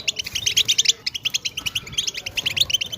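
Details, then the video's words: Fast European goldfinch chatter intended to get silent goldfinches singing; crisp, evenly pulsed high twitters repeat about eight times a second. "بتبتة حسون رهيبة تخرج الطيور من الصمت"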